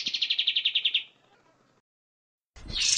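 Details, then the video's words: Kapas tembak bulbul song used as a master recording for training cage birds: a one-second rapid, even trill of high chirps, then a pause and a loud harsh burst at the end. "Masteran suara burung Kapas Tembak gacor ampuh 100%"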